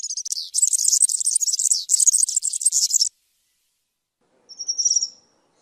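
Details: A European serin pours out a hurried, buzzy, high jingle for about three seconds. Silence follows, then a single thin, rising-and-falling whistle is heard.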